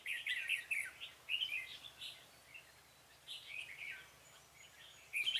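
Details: Red-whiskered bulbul used as a decoy to lure a wary wild bulbul into a trap, 26 February 2018; repeated quick, bright warbling phrases with short rests, over a light background hiss.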